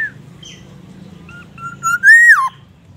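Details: Energetic Black-naped oriole song, with imitations of White-rumped Shama and an ambulance siren: brief chirps, then a level whistle leading into a strong rising, arched, downslurred note with bright harmonics, over a low background hum.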